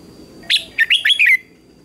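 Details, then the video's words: Single lively phrase from a red-whiskered bulbul in a morning contest song, used to excite a wild-caught bird: five fast, sweet whistled notes, the last trailing downward, with a thin steady high tone in the background. "Chào Mào Hót Đấu Sáng | Chào Mào Hót Sáng Luyện Giọng kích Bổi Hót Đấu Căng Lửa"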